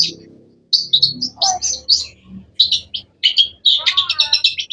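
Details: Cendet, the long-tailed shrike, delivers varied sharp chirps and short whistled phrases, ending in a rapid run of bright notes; a faint low rumble at the start.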